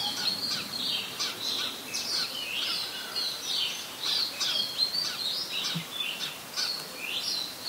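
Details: Red-whiskered Bulbul, adult, Ubon Ratchathani, Thailand, 16 December 2020; busy stream of high chirps and quick down-slurred whistles, phrases overlapping almost without pause, like several birds calling together, with steady background hiss.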